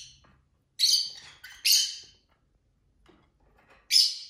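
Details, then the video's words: Household lovebirds, males and females, singing and fighting: loud grating squawky chirps in two close bursts, a lull with faint noises, then one more shrill squawk. "Lovebird Craziness (singing & chirping & fighting sounds)"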